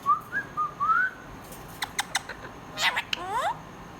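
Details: Pet budgerigar warbling softly with short wavering whistles, then clicks and a buzzy rising chirp with harmonics.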